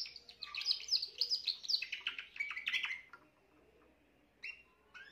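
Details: Spanish Timbrado canary, a young bird from this year, singing on 14 June 2023: rapid high trills and twittering phrases for three seconds, then near silence with two short chips.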